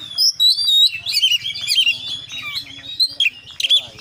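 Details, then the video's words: Oriental magpie-robin delivering a busy 'full isian' song of tumbling whistles and warbled chatter, with brief squeaky upslurs and a few sharp chirps near the end, over a low steady hum. "kacer gacor KONSLET full isian"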